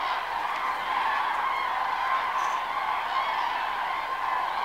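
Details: Flock of common cranes at sunrise while preening, calling together in a steady, overlapping chorus of bugling, rolling notes that never pauses for nearly five seconds.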